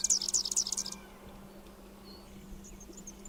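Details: Superb fairywren of Australia giving an ultra fast, high-pitched song likened to a laser; a rapid, bright trill lasts about one second, then only faint distant chirps over a steady low hum.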